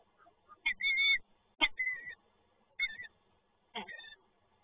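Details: Peregrine falcons, a pair visiting the PGE Toruń site, recorded 12 November 2022; four harsh, rasping calls with a strained tonal core, each about half a second long, spaced roughly one second apart over faint background hum.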